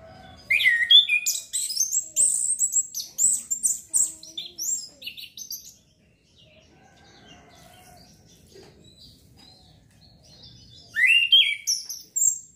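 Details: Orange-headed thrush singing in therapy meant to bring on breeding urge. A long, energetic run of high chirps and whistles stops, leaving several seconds of near silence with faint low sounds, then a fresh burst of song starts.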